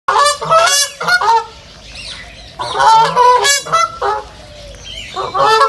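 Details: Ducks recorded in a nature reserve give loud, nasal, harmonic quacks in rapid bursts. Several run together near the start, a quieter gap follows, then more clustered quacks resume.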